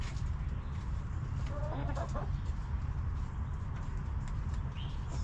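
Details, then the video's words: Backyard hens clucking while relaxing in their coop: a short burst of quick, harmonic clucks in the middle, over a steady deep hum that runs throughout, with a faint high chirp near the end. "Hens Clucking!"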